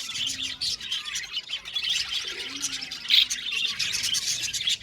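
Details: Budgerigar colony chirping, a constant chatter of short bright tweets and harsh squawks from many birds, with one louder sharp note near three seconds.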